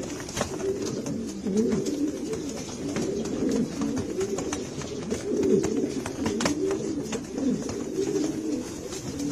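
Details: Continuous low cooing from several Spanish Granadino pigeons, soft rolling phrases repeating without pause, mixed with frequent dry clicks and scratching taps.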